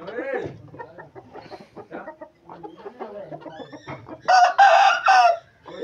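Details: Aseel rooster gives a loud, raspy crow in three bursts lasting about a second, after a stretch of quieter clucking and chattering fowl sounds.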